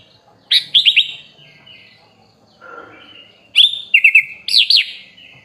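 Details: Sooty-headed bulbul on a songbird training track: short bursts of loud, looping whistled notes trailing into thinner whistles, with a faint murmuring patch between the two phrases.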